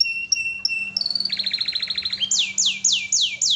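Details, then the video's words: Canary in energetic song for a training recording: three clear whistled notes, a quick bubbling trill, then a run of loud downward-sweeping whistles, one every third of a second, over a faint low hum. "kicauan burung kenari gacor full paling indah dan merdu"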